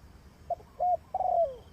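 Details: Spotted dove kept as a decoy bird for trapping, giving one coo phrase: two short low notes, then a longer purring coo that slides downward at the end, over faint background hiss.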